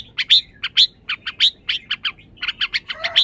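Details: {'caption': 'Red-whiskered bulbul delivering rapid, crisp chirps at about two per second, each short and high, ending with a brief lower slurred note.'}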